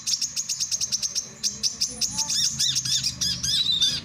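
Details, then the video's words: Song of a male brown-throated sunbird, for training and luring birds: a run of regular, very high clipped chirps, then a busier twittering phrase of looping, arched notes and a thin descending whistle. "SUARA BURUNG KOLIBRI KELAPA JANTAN"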